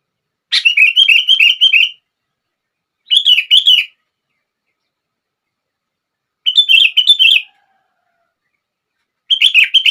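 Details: Song of a sooty-headed bulbul used to set other bulbuls singing: four bursts of quick, bubbling, slightly wavering notes, each phrase about a second long, spaced by pauses of two to three seconds.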